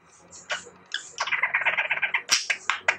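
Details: Six-year-old pet budgerigar singing indoors, a bird that learns to imitate the light-vented bulbul's call: varied chirps and warbled chatter, a run of rapid chattering notes in the middle, then sharp high whistled notes.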